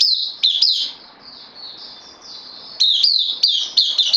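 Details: Caged bulbul, a newcomer on loan, recorded 12 September 2020: bright high chirped notes in quick bursts, each dipping then sliding upward, with a quieter sustained warble in the middle stretch before rapid notes return.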